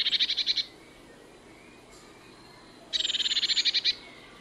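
Eurasian blue tit giving two bursts of fast, high, rattling notes, a short run of about seven and then a longer run of about a dozen, with a gap between.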